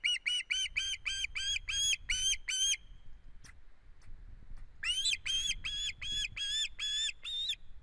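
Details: At a nest in Estonia on 1 September 2016, an osprey moving its head strangely calls in long rapid runs of bright, slightly rising whistled chirps, about ten per run, separated by a short gap with faint clicks.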